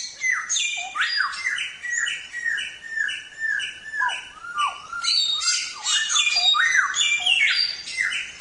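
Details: Samyong in full, energetic song used as a training recording for songbirds: rapid overlapping whistled downslurs and scratchy high chatter, with almost no pause between phrases.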